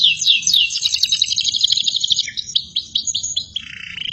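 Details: Canary song meant to train other birds: dense rapid trill of high chirps that slows into separate sweeping notes, then drops to a lower, softer rattling trill.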